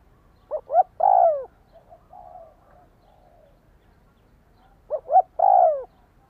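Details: Spotted dove calls used to stimulate a decoy bird: two short rising notes followed by a longer, falling, slightly quavering coo, the phrase repeated about four seconds later, with a faint murmur of other sounds between phrases.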